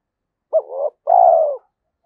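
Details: Spotted dove, thổ-voice Thúc Đấu style meant to suit the forest when trapping with a decoy, gives one low phrase: a quick upturned note with a quavering tail, then a long, evenly falling coo and a faint trailing note.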